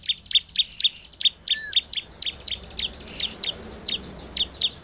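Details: Bar-winged prinia lure song to agitate other prinias: quick, high, clipped chips in a loose rhythm, with a thin whistled sweep drifting through the middle and quiet background noise.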